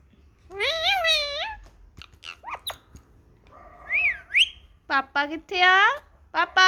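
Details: Indian ringneck parakeet talking in a happy mood while enjoying the sun: harmonic, speech-like warbled phrases, then a pair of sharp rising whistles, then a burst of choppy voiced syllables.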